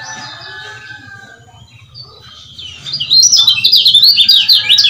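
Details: Male lemon-bellied white-eye from Lombok, a lure recording meant to stir silent males into singing. After quiet, faint chirps, a loud, high, rapid zigzagging chatter bursts in around the third second and runs to the end, with a low hum beneath.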